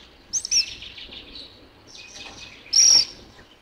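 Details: Black phoebe at Alto San Miguel giving a quick pair of high, sharp chips, then after a pause a single longer, loud buzzy note, with faint background hiss.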